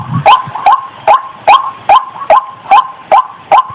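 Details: White-breasted waterhen female in breeding condition: rhythmic, nasal, upward-bending croaks repeated about every 0.4 seconds, nine in a row, after a brief low grunt at the start.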